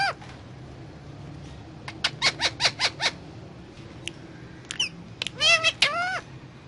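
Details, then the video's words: Indian ringneck parakeet eating guava: a series of short clipped syllables at a quick, uneven pace, a few high ticks, then a rapid cluster of arched, nasal harmonic notes near the end. "Indian Ringneck Parrot talking and eating guava"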